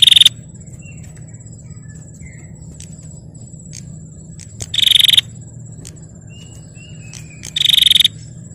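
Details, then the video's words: Female bar-winged prinia song used to stir up males: three short, fast, buzzy trill bursts spaced several seconds apart, with a few faint chirps between and a constant high insect drone in the background. "Suara Prenjak Betina Gacor Tarung Pancing Prenjak Jantan Biar Gacor"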